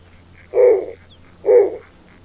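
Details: Snowy Owl of the Canadian Arctic: two short, rough barking calls about a second apart, each a coarse burst with a mid-pitched core, over a quiet background with a faint low hum.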